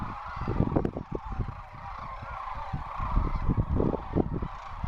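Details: A large flock of Sandhill Cranes, which form enormous roosting and feeding flocks in winter and migration, calling together: a dense overlapping chorus of rolling bugling notes with heavy low rumble and wind-like noise beneath.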